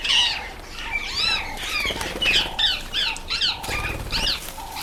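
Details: A sociable party of about ten red-faced mousebirds gathered at a birdbath, giving arched, harmonic whistled calls in quick clusters. A steady low hooting note repeats beneath them, with wing flutters and splashing throughout.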